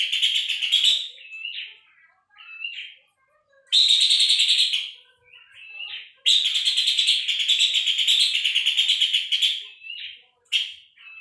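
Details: Puff-throated babbler used as training material for songbirds: repeated harsh, buzzing rattles of fast pulses, the longest over three seconds, interspersed with short whistled and chipping notes and brief silences.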